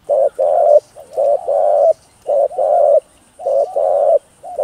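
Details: Spotted dove (cu gáy) giving its cooing call to rouse other doves: deep, rough coos grouped in pairs, a short note then a longer one, repeated about once a second, with a faint steady high hiss behind.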